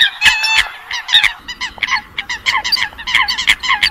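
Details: Eurasian coot calls used as a trapping lure, 2020 recording for night net trapping: dense chorus of sharp, nasal, honking notes overlapping rapidly, several per second, with bright ringing overtones throughout.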